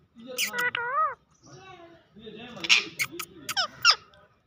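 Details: Pet parrot talking in Urdu: wavering, speech-like phrases with bending tones, then a cluster of sharp squeaky notes and short whistles near the end, indoors with faint music behind.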